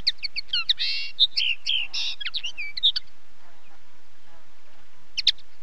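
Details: Common linnet singing: a quick twittering run of varied chirps, short trills and slightly buzzy notes for about three seconds, then near silence, ending with a brief pair of sharp high chirps.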